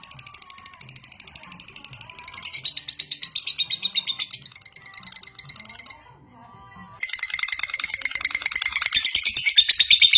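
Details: Lovebird performing ngekek, a long chattering song while spinning about, meant to prompt other lovebirds to sing; rapid shrill chirps grow louder, break off for a second of near silence, then return denser and brighter.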